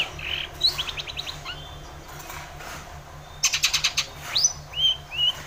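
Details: Long-tailed shrike singing, used as a lure to get a quiet shrike singing; short rattling trills and harsh notes, a pause, then a fast buzzy burst and two rising whistled phrases.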